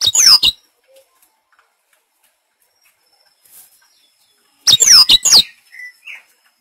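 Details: Black-throated canary song used as a training lure: two loud half-second bursts of sharp, sweeping whistles with crossing rising and falling notes, separated by a long silence. Faint soft chirps follow.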